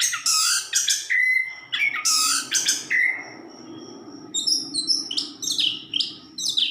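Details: Orange-headed thrush delivering loud, varied whistled and buzzy phrases over a steady low hum, with thinner high notes toward the end.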